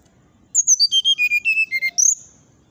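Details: Fluting 'nyuling' song of a brown-chested jungle flycatcher, said to provoke neighbouring birds. A single phrase of about twelve pure whistled notes cascading down the scale, ending with one bright high upswept note.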